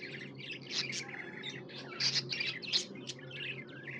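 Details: Pet budgerigar chirping: quick bursts of high warbled chirps and squeaky notes in irregular clusters, fairly quiet, over a faint steady indoor hum.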